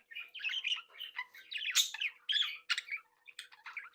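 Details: Playful captive Budgerigar flock, bred at home, in busy chatter: continuous scratchy warbling with sharp high squeaks and rapid chirps, fading slightly near the end, over a faint steady hum.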